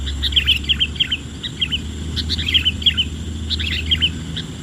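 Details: Male sooty-headed bulbul meeting a wild female: bright, bubbly, fluty phrases of quick, slurred notes repeated in short bursts, over a low steady hum.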